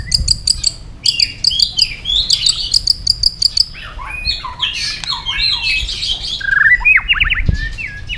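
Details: White-rumped shama in competitive song: rapid repeated high clicking notes in clusters, followed by a scratchy warble and a fast series of descending whistled chips.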